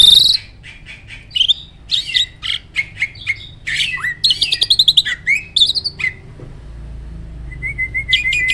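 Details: Captive starling (jalak) singing its loud roll, tembak and speed style: bursts of clicks and short whistled notes, a fast chattering run, then thin, level high whistles near the end.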